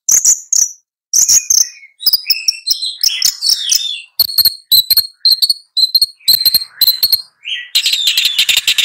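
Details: Long-tailed shrike singing a varied, rambling song of high scratchy chirps, short whistled notes and harsh buzzy bursts, with quick clicking runs and brief pauses between phrases.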